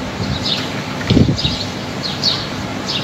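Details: Outdoors on a fine day, birds give thin, high descending chirps in loose pairs, roughly every three quarters of a second. A steady wind hiss runs underneath, with one brief louder rustle.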